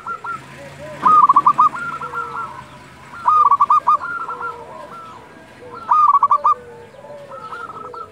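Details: Zebra dove of a local strain calling at dusk: three loud bursts of fast, pulsed, rolling coos about every two and a half seconds, with softer cooing doves in between.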